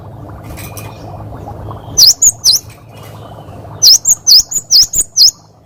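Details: Cinereous tit, local name gelatik batu, delivering its 'wucit wucit' variation for tutoring other birds: three quick swooping whistles, a pause, then a longer run of seven high, clear notes over faint low hum.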